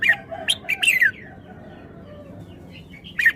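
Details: Quick series of bright, tumbling bulbul whistles in the first second, ending in a falling slur, then a quiet pause with faint low chatter before one last sharp note; the bird is a red-whiskered bulbul.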